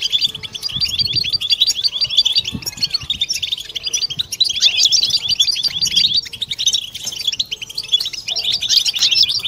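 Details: Group of European goldfinches in a dense chorus, played to end silence in goldfinches and stimulate females toward mating song: continuous high, tinkling twitters and buzzy trills overlapping without pause, with faint low knocks underneath.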